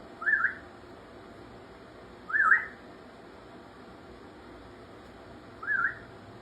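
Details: Pet African grey parrot giving three short, wavy whistled notes about two to three seconds apart. A steady low background hiss runs underneath.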